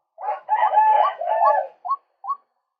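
A male white-breasted waterhen gives a harsh, croaking, gurgled phrase lasting over a second, then two short, separate, rising nasal notes.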